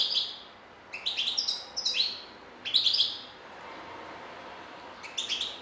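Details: European goldfinch song made of clustered sharp chirps and quick liquid twitters in several bursts, a quieter pause, then a final short twitter.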